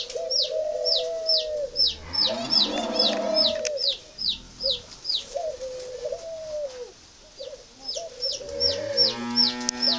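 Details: Spotted dove, mỏ đinh variety, held at a dove farm in Ba Vì district, Vietnam: several flat, husky coos separated by pauses, over a steady patter of high chirps, with clucking fowl-like calls mixed in at the start and end.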